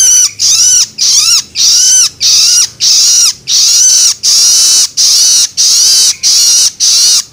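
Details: Long-tailed shrike juvenile's loloan begging, used to stimulate adults: a long, regular run of raspy, wheezy bursts, roughly one and a half per second, each ending in a falling scratch.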